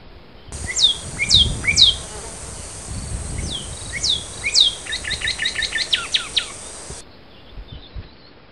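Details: Northern cardinal nestlings in the nest with the father nearby: sharp descending chip notes, then a quick series of rapid chirps, over a steady outdoor hiss.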